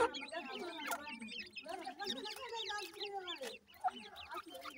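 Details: High, thin chirps from nesting grey francolin chicks run almost without pause over a band of lower, hoarse clucking that fades briefly near the end.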